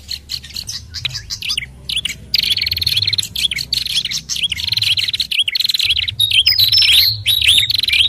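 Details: Fantail lure call used to attract birds: rapid high chirps and wavering whistled notes repeated quickly in bursts, with a steady low hum underneath.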